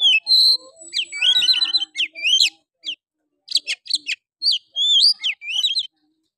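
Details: Oriental magpie-robin song, used to provoke lazy males and stir other magpie-robins into singing, in a rough, hard-hitting style. Loud, varied whistled phrases mix with scratchy trills and sharp chips, broken by short pauses.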